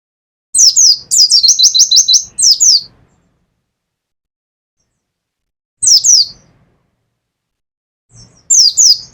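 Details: Caged Pacitan mountain white-eye in 'nembak' style, opening with a dense rattle of about a dozen high descending whistles, then after a long pause two shorter clusters of sharp falling notes.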